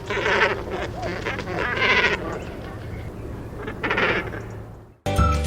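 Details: Great cormorant (Phalacrocorax carbo), Sri Lanka, giving harsh, guttural, bleating croaks in rough bursts about every two seconds, with faint music underneath and a brief cut to another sound at the end.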